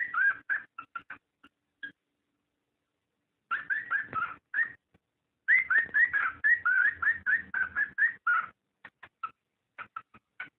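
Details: Cockatiel mating call for encouraging breeding; rapid, irregular runs of short whistles and chirps, some rising, in several bursts with gaps, ending in scattered faint clicks and notes.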